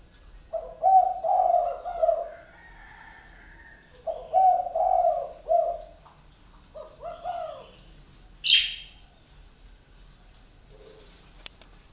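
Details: Spotted dove decoy with an impressive spotted collar, calling a distant wild dove; three phrases of deep, rolling coos, each a few notes long, separated by pauses, with one sharp high chirp near the end and a constant high-pitched hum behind.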